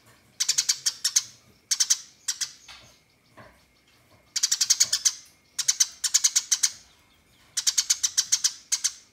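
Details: Fighting house sparrow giving extended 'nyerecet' chatter to make rivals answer: long runs of six to eight rapid, harsh, high notes, alternating with shorter bursts.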